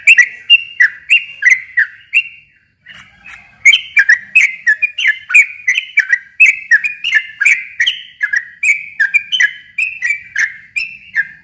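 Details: Sooty-headed bulbul in long, energetic 'ropel' song for prompting a quiet bird to respond. Rapid bubbling whistled phrases, about three notes per second, with one short pause, otherwise clean.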